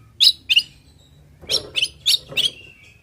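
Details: Short, sharp, slightly harsh high notes from an oriental magpie-robin in 'isian' song meant to provoke answers. Two quick notes are followed by a pause and then a rapid run of four more.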